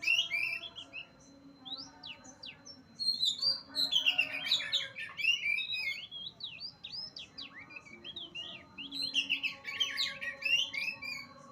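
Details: Full song of an Oriental magpie-robin recorded at Utan Kayu, Matraman: long run of sweet whistles, sharp upward and downward slides and dense chattering passages in several loud bursts, over a constant thin background tone.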